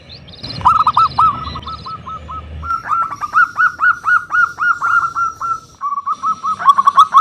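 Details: Loud local zebra dove played as a lure to call rivals: a long stream of bright repeated notes, falling then steady, about three per second, with a faint higher chirp at the start.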